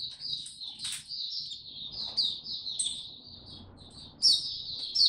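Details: Oriental white-eye, a caged songbird recorded 25 January 2022 after a late night's sleep, delivers a continuous high-pitched warble of quick chirps and slurred notes, rising to a louder flourish near the end, with a soft low rumble behind.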